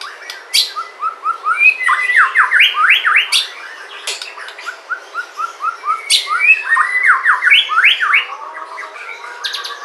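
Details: White-rumped shama from Sumatra in full song, used to prompt other shamas to sing: rich, fast, varied phrases of swooping whistles and sharp high notes that continue almost without pause.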